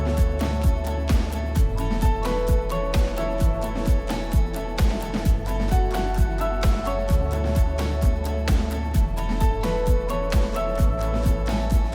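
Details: Steady instrumental music with a regular beat and plucked strings plays throughout, with no animal sounds heard.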